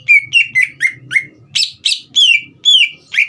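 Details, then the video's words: Green leafbird's lively song, used to provoke young birds into singing: clear whistled notes repeated roughly twice a second, mostly slurring downward, mixed with harsher buzzy chirps and a soft low background murmur. "CUCAK IJO GACOR"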